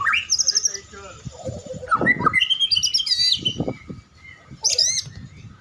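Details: Caged white-rumped shama warming up before a bird singing contest, giving rich varied song: high trills, rising whistled notes and rapid warbled phrases, with knocking sounds and background noise.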